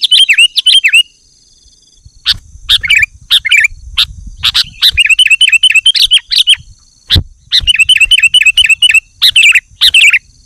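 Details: Male sooty-headed bulbul calling a rival in the afternoon: bursts of rapid, sharp chirping notes in quick runs, broken by short pauses and loud clicking taps, over a faint steady high-pitched whine.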